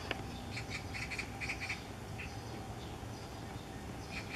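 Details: At sunrise on 9 June 2014 in Miyun, a light-vented bulbul singing outside a window, possibly in courtship, gives a quick run of short, bright chirps, about six in a second and a half, then a few scattered notes, over low rumbling noise.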